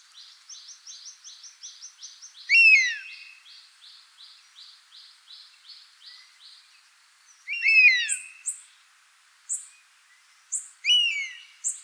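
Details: Buzzard heard in natural habitat, giving three separate loud, downward-slurred cries spaced several seconds apart, amid rhythmic pulsing insect-like buzzing and scattered sharp high chirps from small birds.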